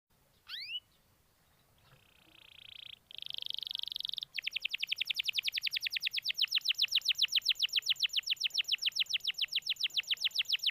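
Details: Canary song used as a lure to prompt a quiet canary to sing: a brief upward slur, a sustained buzzy trill, then a long fast run of rapid repeated descending notes at about four per second.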